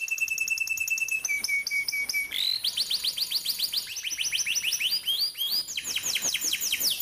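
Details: Canary song for training young birds: repeated whistled tones stepping down in pitch, then a long series of rapid sweeping chirps rolling continuously to the end.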